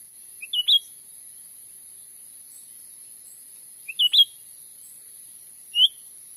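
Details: Sumatran forest lure recording of a grey-bellied bulbul for trapping birds: brief clipped whistled phrases of two or three notes, repeated roughly every three seconds, with a continuous high hiss behind.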